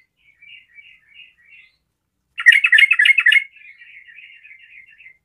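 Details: Sooty-headed bulbul ('garuda' trucukan) singing energetically to prompt other bulbuls to sing: soft chattering whistles, then a loud, dense second-long burst of bubbly warbled notes, trailing into quieter rapid chatter.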